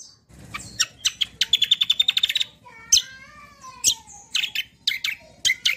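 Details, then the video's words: Kecial kombo in full song, used to train and lure other birds: a fast buzzy trill of rapid repeated notes, then a long downward-sliding whistle and scattered bright chirps. "BURUNG KECIAL KOMBO CUCAK KOMBO ROLL TEMBAK GACOR || UNTUK PANCINGAN BUNYI BURUNG BAHAN MANTAP"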